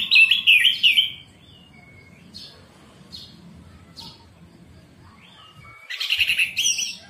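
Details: Morning orange-headed thrush song meant to stimulate a caged bird that has stopped singing: a loud rich warble for a second, a few thin whistles, then another strong warbled burst near the end.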